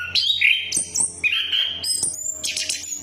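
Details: Brief orange-headed thrush lure song: a few loud whistled phrases with sliding notes, then high ringing whistles and a scratchy final flourish, over a faint low hum.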